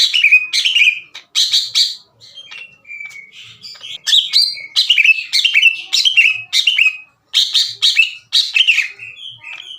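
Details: Greater green leafbird in harsh, open challenge song directed at rival leafbirds. Clear, loud bursts of sharp descending whistles follow one another rapidly, broken by brief pauses and softer single notes.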